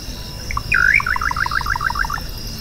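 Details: Song of the little nightjar (Hydropsalis parvula): a couple of clipped introductory notes, then a bold dipping-and-rising slurred note followed by a quick stuttering series of alternating high and low notes, with a constant shrill insect drone in the background.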